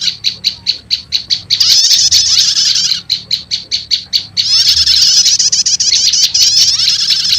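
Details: Prinia lure sound, prenjak lumut combined with prenjak setater: about eight rhythmic high chip notes, a burst of rapid chatter, another run of chips, then sustained fast twittering.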